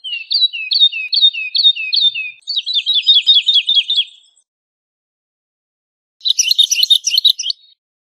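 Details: Woodlark song with high, clear repeated phrases: a run of short notes sliding down and then up, a faster rolling series of similar notes, silence, then a brief jumbled burst of higher twittering.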